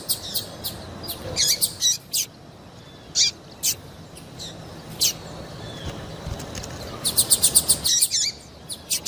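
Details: Female double-collared seedeater call, used to stir males into song for contests. Scattered high chips with gaps of a second or more, then a quick burst of rapid ticking notes near the end, softly heard.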